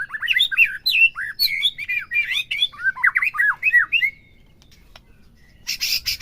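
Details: Captive white-rumped shama's song, used to stir another caged bird to sing: lower slurred whistles with a slightly rough, squawky edge, a quiet gap, then a sudden buzzy burst.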